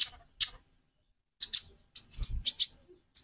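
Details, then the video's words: Konin song variation: scattered bursts of high, sharp chirps with short trilled and scratchy notes between silences. "Variasi kicau burung Konin"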